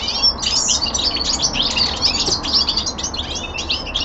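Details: Young male common linnet kept indoors, delivering a short, dense run of high twittering notes and quick slurred chirps without a break.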